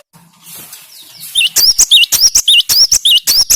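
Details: Gelatik batu, the cinereous tit, used as a stimulating song for a kept bird: after a quiet start, bright piercing paired whistles ring out in a steady, rapid series of around seven phrases.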